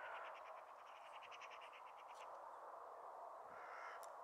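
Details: A Meadow pipit sings at Bossche Broek on 22 March 2017, giving a quick run of about fifteen thin, identical high notes over two seconds against a steady rushing background of wind.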